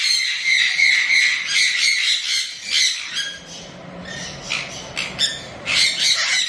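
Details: Young severe macaw, described as an angry baby, gives harsh, raspy squawks, loud and broadband, in bursts of about three per second with quieter rasping gaps between.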